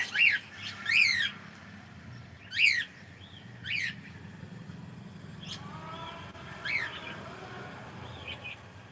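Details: Cockatiel said to be saying good morning: a series of bright, harmonic chirps that rise and fall, in two quick pairs and then single notes spaced about a second apart, followed by softer, lower wavering sounds near the end.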